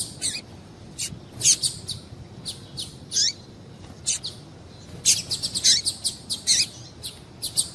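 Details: Female Double-collared seedeater calling to excite a male into singing: high, thin chirps and short downslurred notes, scattered irregularly and then bunched into a rapid run of notes near the end, with quiet background hiss.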